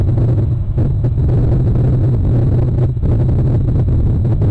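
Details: Loud, steady low rumble like a vehicle engine or wind buffeting, and no animal sound.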